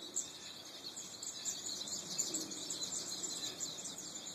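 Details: A flock of goldfinches, recorded on an Android phone: dense, continuous high twittering and tinkling chatter from many overlapping birds, with steady background hiss throughout.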